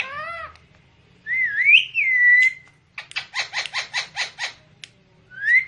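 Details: Parrot known for talking starts with a falling arched call, sweeps into a long wavering whistle, then a rapid series of eight clipped pulses and a final rising whistle.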